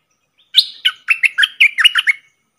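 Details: Caged streak-eared bulbul used as a decoy to lure wild birds, which circle overhead without landing; a quick run of about nine bright, chirpy, slurred notes rising and falling, each note clipped and separate, over a quiet background.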